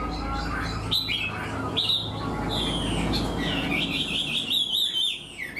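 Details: Wild-caught caged Chinese hwamei, quick to sing, gives structured song like a tame bird. Separate clear whistled notes and slurred phrases come over a steady low rumble, and the song turns quicker and more trilled toward the end.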